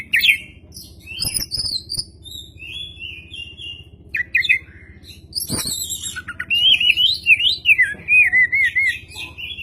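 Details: Oriental magpie-robin, lure song with the tail spread: scattered chips and buzzy notes, a sharp click, then a sustained run of loud wavering whistles.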